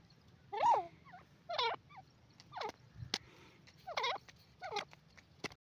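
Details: Grey francolin, known as dakhni teetar, giving wavering, warbled calls roughly once a second, a few interspersed with sharp clicks, against a faint background hiss.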